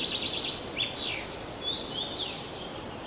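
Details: Tree pipit singing thin, high notes: slurred whistles that rise and fall and a few brief trilled phrases, over a steady hiss of background noise; recorded in a forest park.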